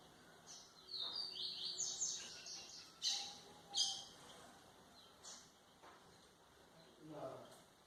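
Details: White-throated seedeater song for tutoring young birds, with quick high twittering phrases followed by spaced sharp notes and a soft lower sound near the end.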